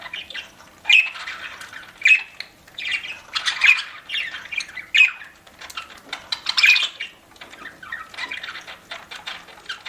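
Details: Pet budgerigar chirping while eating: bright, warbling chirps and squawky notes in irregular bursts, with sharper accented chips roughly every second or so and soft chatter between them.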